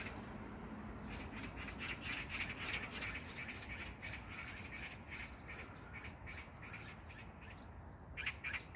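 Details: Magpie at Jangdumot park, Incheon, South Korea, on June 19, 2022, giving a sustained, slightly distant rattling chatter of rough squawks, about three or four per second, with a short pause near the end before resuming.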